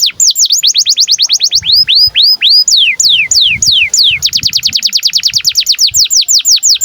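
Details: Domestic canary in breeding condition, its song used to stimulate and train young birds: long, rapid trills of sharply descending high notes, briefly slowing to wider swoops before speeding up again.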